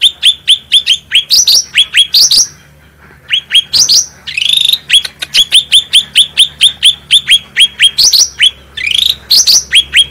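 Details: Energetic black-headed bulbul song, clear and powerful, recorded as a master for teaching captive birds: quick repeated hooked chirps in steady series, with occasional longer rising buzzy notes and one short silent gap.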